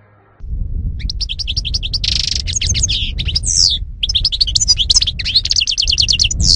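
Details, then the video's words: European goldfinch in 2018 singing without a break, a rich, rapid jumble of sweet twitters, buzzy notes and trills over a steady low rumbling background noise. "ΚΑΡΔΕΡΙΝΑ-Carduelis carduelis (European Goldfinch 2018)"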